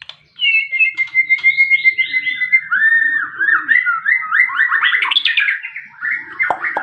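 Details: Long-tailed white-rumped shama in full song: a clear sustained whistle opens, followed by a rich, varied stream of warbled, slurred phrases that climb and fall, ending in a sharp note.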